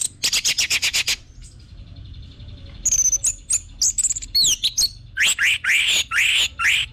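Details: Orange-headed thrush as a lure singer: a quick stutter of rapid buzzy notes, a pause, then high whistles and loud rising slurred phrases repeated toward the end.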